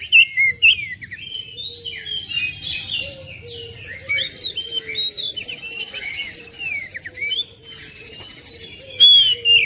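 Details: Oriental magpie-robin (kacer) song meant to prompt a reluctant bird to sing: dense, varied high whistles, chirps and rapid trills tumbling over one another, with a faint low hum and a steady lower whistled line beneath.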